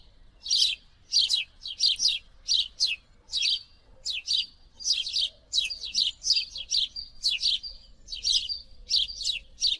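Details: Long series of house sparrow chirps, fast and uneven, near-continuous over ten seconds above steady low background noise.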